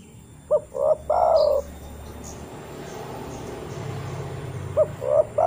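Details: Spotted dove calling to other doves, a recording used as a lure: one full phrase of two short coos and a drawn-out coo, a hissing noisy pause, then the phrase starting again.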